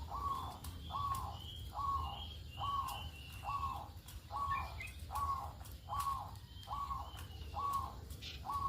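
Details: Local zebra dove recorded in the morning as a lure to prompt other doves to call: soft trilled coos repeated roughly every 0.8 seconds in a steady series, with fainter higher chirps from other birds and a low rumble behind.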